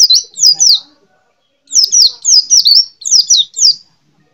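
A white-eye sings very high, quick, downslurred notes in rapid runs of three, with a brief pause between two phrases; nothing else is heard.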